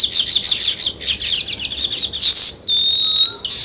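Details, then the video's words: Sparrow chirps near weaver birds busy building nests, a rapid stream of scratchy notes from several birds, ending in a long, thin, level whistle and a brief lower slurred note. "Sparrow Chirping Sounds"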